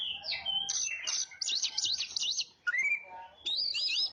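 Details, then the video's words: Oriental magpie-robin lure song: quick varied chirps leading into a string of rapid repeated high whistled notes, a clear falling whistle, then a wavering sweet phrase at the close. "suara burung KACER pemikat"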